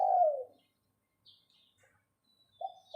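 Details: Captive decoy spotted dove giving the 'phao phao' call. A single long, low falling coo opens, then after near silence the stuttered start of another phrase. Faint high whistles of distant birds.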